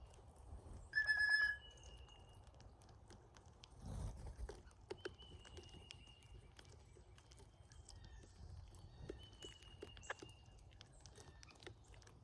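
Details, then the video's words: Flock of cowbirds at a feeder during migration: one loud, brief harmonic tone early, then several faint thin high whistles over steady tapping and rustling. "Love the funny sound cowbirds make!"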